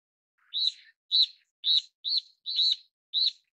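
Steere's Liocichla giving six short, harsh, slightly buzzy high notes in quick succession, about two each second, with no other sounds.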